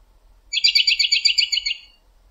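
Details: An American robin calling late in the evening from a backyard tree to other robins nearby gives a quick, high chattering run of about a dozen sharp notes lasting just over a second.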